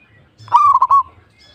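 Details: A single mellow coo from a local zebra dove, a quick series of soft rolling notes lasting about half a second.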